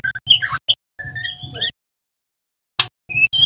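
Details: Juvenile male white-rumped shama in its spotted fledgling stage, learning to sing with the twittering style called ngeriwik: short scattered whistled and buzzy notes broken by a long silence, over a steady electrical hum and low rumble.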